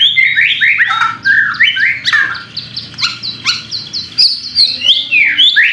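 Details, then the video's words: White-rumped shama song meant to trigger singing in another bird, a dense run of quick varied chirps and whistles, rapidly repeated notes, and sudden sharp clicks. "pancingan murai batu AGAR BUNYI jitu untuk JADIKAN murai batu GACOR EMOSI"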